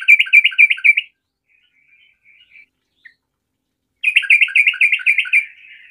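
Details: Sooty-headed bulbul in full 'garuda' song meant to set other trucukan singing: a quick burst of rolling, liquid whistled phrases, a pause with soft twitters and one chip, then another rapid, steady run of bubbly notes.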